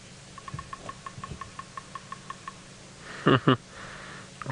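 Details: Bearded woodpecker knocking at sunrise, 7 August 2017, Sabi Sand, South Africa, near a hyena den: a quick, even series of about a dozen hollow taps, slightly slowing, over a low engine hum, then two loud thumps.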